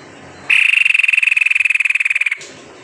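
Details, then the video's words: White-necked tepus song played as a lure to encourage birds to sing; a strong, steady high trill of quick regular pulses, about two seconds long, starting abruptly and ending cleanly. "SUARA ASLI TEPUS LEHER PUTIH GACOR"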